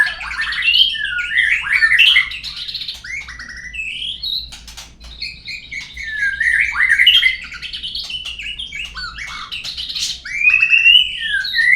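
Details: Murai lure song from a white-rumped shama, aimed at making caged birds sing: a continuous, energetic stream of loud whistles, slurs and harsh chattering notes in repeated bursts, each lasting a few seconds.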